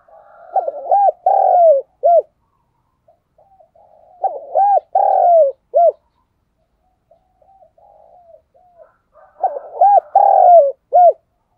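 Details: Decoy spotted dove calling to lure wild doves, giving three mellow cooing phrases about every four to five seconds, each with stuttered short coos, a long drawn coo and a brief closing note, with soft quieter notes between.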